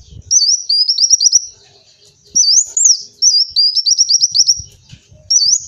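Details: A sunbird (kolibri wulung) sings very high, thin, rapid twittering phrases about a second long, repeated after brief pauses, with faint low thumps underneath.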